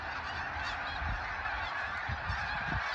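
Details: A migrating flock of snow geese calling all at once, a dense wall of overlapping nasal honks and yelps that merge into a steady, unbroken roar for the whole three seconds, with soft low thumps underneath.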